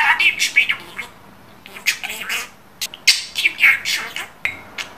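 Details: Pet budgerigar talking, mixing scratchy imitated words with sharp chirps and squawks in several short bursts separated by quiet gaps.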